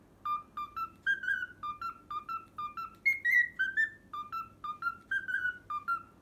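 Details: Pet cockatiel whistling a learned tune, the Pythagora Switch opening theme: clear, short whistled notes in quick succession, stepping up and down in pitch with a brief higher phrase midway, over a faint low background hum.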